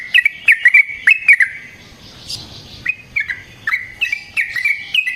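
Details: Sooty-headed bulbul in lively fighting song with long rolls, used as a lure to make other bulbuls sing: short chirpy notes in bursts, a quiet gap, then more bright notes.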